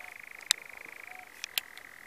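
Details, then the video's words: European nightjar churring in the New Forest, UK, on 6 June 2018: a dry rapid-fire trill held at one steady pitch, broken by two sharp clicks. "Nightjar Churring"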